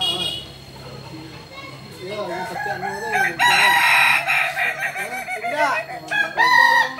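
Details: Kukuak Balenggek cock, endemic to Solok in West Sumatra, at a practice contest; after a quieter start, loud multi-syllable crowing of quick harmonic notes, with background music and crowd noise.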